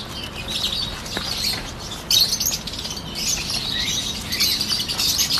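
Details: Peach-faced lovebirds, including yellow ones, chirp and squeak in a continuous overlapping chorus, with a sudden louder burst of calls partway through and a faint low hum underneath.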